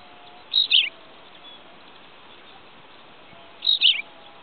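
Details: Tawny pipit recorded on 5 June 2010, giving two brief, high, down-slurred chirping phrases about three seconds apart over a steady background hiss.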